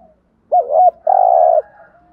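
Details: Spotted dove cooing in the thúc gù style, used as a decoy to stimulate other doves: two low, mellow coos, a wavering first note followed by a longer steady one, in otherwise near silence.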